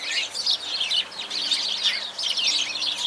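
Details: A flock of sparrows chattering, with many quick high chirps piling into a steady, lively twitter throughout.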